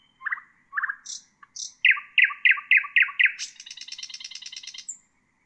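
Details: A common nightingale (Luscinia megarhynchos) sings a varied phrase: low liquid notes, high thin whistles, a run of six loud repeated chirps, then a fast rattling trill.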